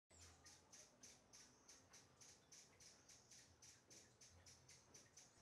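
A Rufous-tailed hummingbird gives sharp, high chips about three to four times a second in a steady series, over a faint low hum.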